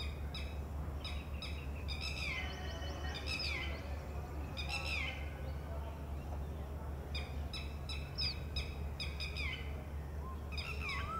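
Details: Female Red-wattled Lapwing calling from a distance beside a ground nest where one of four eggs has just hatched, warning the wet chick of lurking predators; sharp repeated notes in quick bursts with descending harmonic strokes over a steady low hum.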